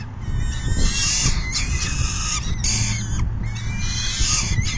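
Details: Peregrine falcons at the nest on June 10, 2022, around 4:08 PM, during a full feeding. Continuous harsh, raspy calling with a rich layered tone holds almost unbroken for the whole stretch, over a steady low rumble of background noise.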